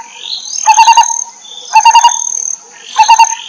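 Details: Wild lineated barbet chicks being fed by their mother: three bursts of rapid stuttering harsh notes, each with a rising whistled sweep before it, about every 1.2 seconds, steady high-pitched background tone.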